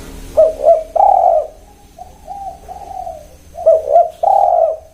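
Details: Spotted dove cooing: low, hoarse coo phrases, each a quick double note followed by a longer drawn-out coo, given in two bursts with softer coos between, against a quiet background.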